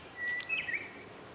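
A White-browed robin-chat gives a brief, clear whistled note, followed by a quick fluty flourish that dips and rises over about a second.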